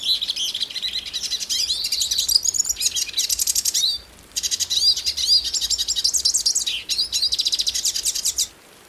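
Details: Brazilian hooded siskin singing long bursts of fast, high twittering with sweet slurred whistles, broken by two short pauses before it ends.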